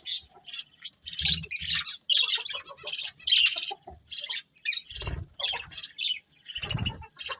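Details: Chattering budgerigars from a breeding colony, caged, with rapid high warbling chirps and harsh squawks in uneven bursts, short gaps between phrases, and soft low knocks in the background.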